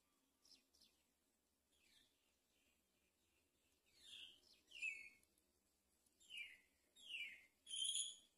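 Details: Great myna on a palm tree while feeding a chick: a series of rasping, downward-sweeping squawks, growing louder toward the end and spaced about a second apart, with a few softer chattering notes in the first half.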